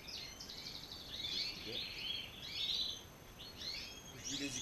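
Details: Male and female European goldfinch kept together as a pair. Soft, liquid twittering phrases with short buzzy notes rise and fall over background noise.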